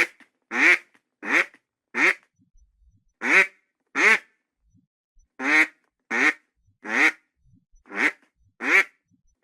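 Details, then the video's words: Single loud, raspy duck quacks spaced roughly every second, sometimes in close pairs, against an otherwise silent background. "SOM DE PATO"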